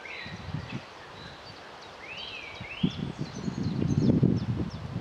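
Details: Common moorhen chicks: two clear peeping calls that rise then fall, a few fainter high peeps, over loud low rustling and thumping in vegetation.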